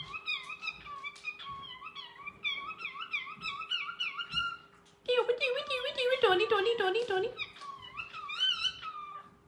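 A cockatiel calls to its mate with quick, repeated whistled notes that rise and dip.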